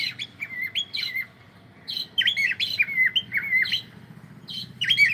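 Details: Cockatiel singing while playing, loud bursts of whistled, warbling notes with quick rising and falling slurs, given in short phrases separated by brief pauses, with a faint low hum in the background.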